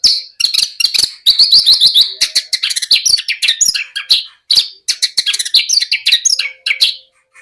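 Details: Lark pouring out a dense, fast medley of high chirps, trills and buzzy notes, with only brief breaks.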